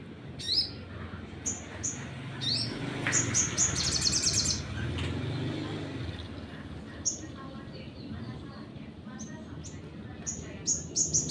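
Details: Sunbird lure song aimed at provoking other birds: a high buzzy trill and clipped whistled notes scattered through the clip, with human voices and a passing vehicle rumbling underneath.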